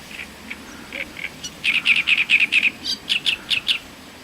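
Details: Great reed warbler singing, Voronezh, Russia, 2012: hesitant single harsh notes build into a fast series of loud grating syllables, then a run of creaky, repeated chirrs.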